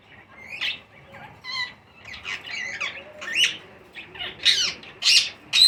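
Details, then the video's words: Baby green Indian ringneck parakeets being fed call in a run of harsh, rasping squawks and short chirps, uneven and rising in intensity toward the end, roughly two calls a second, in a quiet indoor setting. "Baby Parrots Feed | Chote tote ki khorak"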